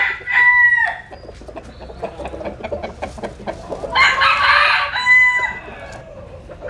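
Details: Sunbathing roosters in the Mekong Delta, Vietnam: a short tonal crow opens, soft clucking follows, then a harsher, louder crow and another clear tonal crow overlap near the end.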